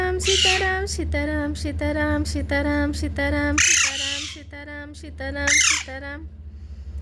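A young parrot gives harsh, raspy squawks in quick irregular bursts, some rising into screechy notes, over a low steady hum indoors.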